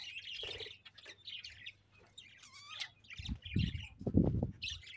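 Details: Budgies keep up a continuous warbling chatter of scratchy high chirps and a few clearer rising notes, while dull low thumps and knocks sound in the second half.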